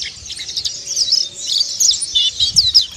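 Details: Mountain white-eye in ngeriwik and ngalas song, a continuous high, scratchy twitter of fast chirps and short slurred notes, growing louder in the second half.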